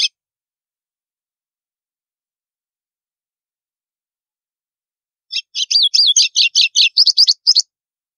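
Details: White-throated seedeater (golinho) singing the 'canto estalo' style, used to warm up other birds: one brief note, then after a long silence a fast burst of sharp, chirpy, clicking notes lasting about two seconds. No other sounds.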